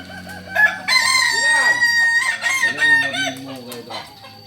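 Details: Kukuak Balenggek rooster from Solok crowing: a long, strained crow broken into several wavering, stepped syllables over about three seconds, ending with softer trailing notes.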